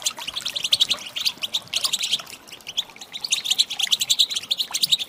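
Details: Female goldfinch calls meant to rouse males into song: rapid, thin tinkling twitters in short clustered runs, one burst near the start, then a longer busy stretch of bright chirps toward the end.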